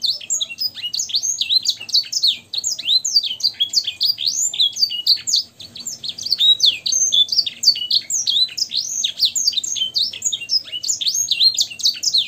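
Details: Canary in full song with blackthroat and sanger phrases, kept as a tutor recording for training caged birds: a dense, unbroken high warble of rapid chirps and slurred whistles tumbling over each other for twelve seconds.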